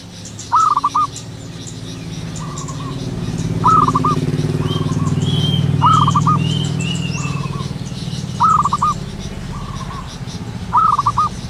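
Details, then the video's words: Zebra dove in the wild in the morning, repeating short stuttered cooing bursts about every two seconds, while a passing motorcycle or vehicle rumbles loudly underneath and other birds whistle faintly. "burung perkutut lokal alam gacor penuh gairah"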